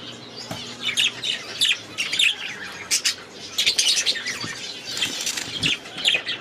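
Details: Budgies in an aviary give loud, clear bursts of scratchy chattering and sharp chirps, coming in pulses roughly every half second to second, with some wing flapping between calls.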